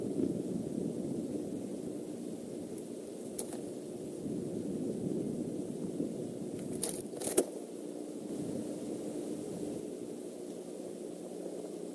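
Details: Steady low rumbling noise, like distant traffic or wind, with a few brief scrapes and crackles and no animal calls.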